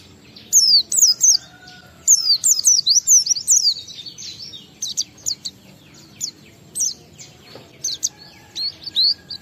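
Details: Oriental white-eye lure song for encouraging other white-eyes to sing: bright, high descending whistles delivered in quick chattering strings, then scattered single notes.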